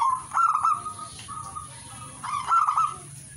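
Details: Two bursts of bubbling, trilled cooing from a zebra dove about two seconds apart, with quieter level coo notes between them and steady hiss.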